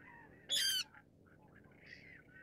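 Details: A Brown-cheeked rail (Rallus indicus) calls: one loud, harsh, squealing note about a third of a second long, then a few faint, rough chattering notes against a quiet background.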